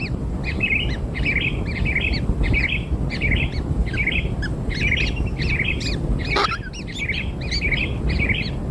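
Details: Newborn kingfisher young fed black insects produce dense clusters of wavering, chattering squeaks in quick bursts, with one sharp thud partway through and low rumbling noise behind.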